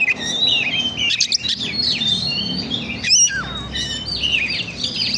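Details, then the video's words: Oriental magpie-robin song played as a lure to stimulate other birds: varied, loud whistled phrases, some slurred and some rapid, interrupted by brief harsh bursts. "Pancingan burung kacer"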